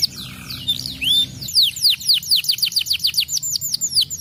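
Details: Canary song that opens with looping whistled notes and breaks into a rapid, even run of descending chirps, about three or four a second, over a quiet low background hum.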